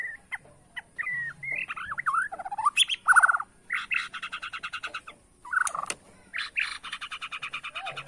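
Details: Bornean white-rumped shama singing in the bowing style, meant to rile rivals: varied whistles and slurred phrases give way to loud, rapid chattering trills in bursts, with a rich, changing song.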